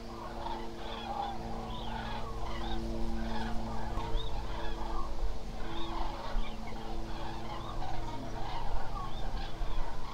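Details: Wild Eurasian cranes in the Hula Nature Reserve wetland, Israel, on 27 October, picked up by a remote live camera: a dense flock chorus of short overlapping honking, trumpeting calls throughout, over a steady low mechanical hum.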